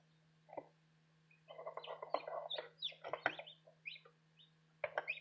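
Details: Light Brahma chicks, arriving a day early, peeping in a busy overlapping chorus of short, high chirps, with a steady low electrical hum and a person speaking briefly.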